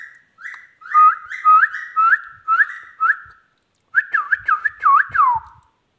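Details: Indian ringneck parrot, a talking pet, whistles a run of short flat notes ending in upward flicks. After a pause, several swooping dipping whistles follow, with faint low thumps beneath.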